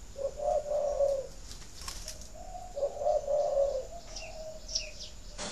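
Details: Captive spotted dove cooing, a call used to encourage breeding birds to lay; two low, mellow cooing phrases about a second long, separated by a pause, with faint clicks and a brief high chirp in the background.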